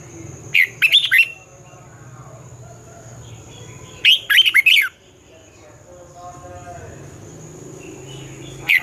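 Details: Red-whiskered bulbul morning song in twisting style, used for training young birds: two energetic warbled phrases of looping whistles about three seconds apart, a lone note at the end, over a faint steady high tone and low murmur.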